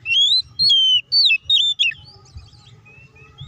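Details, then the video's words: Oriental magpie-robin fighting song meant to provoke other birds into singing: four loud whistled phrases in quick succession, rising and falling slurs with a sharp downward note, then quiet with faint distant chirps and low hum. "KACER GACOR NGEPLONG TARUNG❗PALING AMPUH BUAT PANCINGAN KACER AGAR CEPAT BUNYI DAN EMOSI!"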